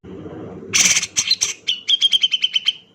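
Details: Singing male Grey-cheeked Bulbul, fast 'nembak rapat' delivery: a harsh buzzy burst followed by about ten crisp, evenly spaced chips in rapid succession.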